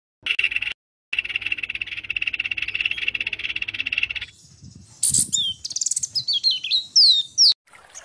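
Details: White-rumped shama song packed with varied phrases, meant to provoke other birds: a dry rapid rattle for four seconds, a pause, then bright high whistled notes sliding up and down in quick twisting phrases.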